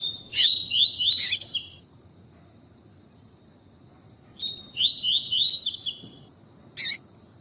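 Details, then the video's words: Double-collared seedeater (tuí-tuí song type) with a female calling, used to warm up and stimulate males: two song phrases, each a steady high whistle then quick buzzy rising-and-falling notes, with sharp harsh chips at start and end. "CANTO COLEIRO TUÍ TUÍ COM FÊMEA PIANDO QUENTE PRA LEVANTAR COLEIRO FRIO"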